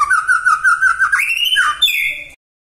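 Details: Magpie-robin song meant to provoke other magpie-robins into answering: a long wavering whistled phrase held level, then rising in slurred steps to higher sweet notes, over a faint low rumble.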